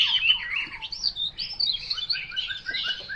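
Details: Chinese hwamei giving a short burst of song: fluty slurred whistles that rise and fall, mixed with a few harsher notes and faint low background hum.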